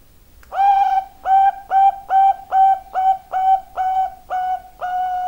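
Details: Zebra dove of the Bangkok type singing: a steady series of about ten mellow, even-pitched cooing notes, each short and level with a slight rise at its start, repeated roughly twice per second against a quiet background.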